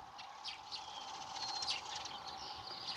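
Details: Nightingale singing in spring at dawn, a song called kląskanie: quick bursts of sharp, high whistled notes and clicks, pouring out rapidly over a steady low hum.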